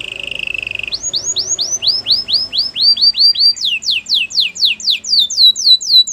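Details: Canary singing for song training: a short buzzy trill, then a long series of clear downslurred whistles repeated steadily and climbing slightly higher toward the end.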